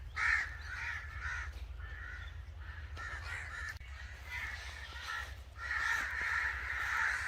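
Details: Angry crows calling: a dense, harsh chorus of overlapping rough caws in bursts, with brief lulls near the second and fourth seconds, then a louder swell toward the end, over a low steady rumble.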